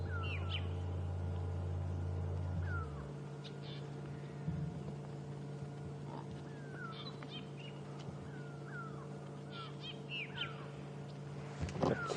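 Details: Grey go-away-birds give alarm calls on an April 2015 sunrise safari drive, calling upward possibly as they do for an eagle: short, falling, nasal calls answered by several birds across a wide area, over a low engine hum that cuts out early.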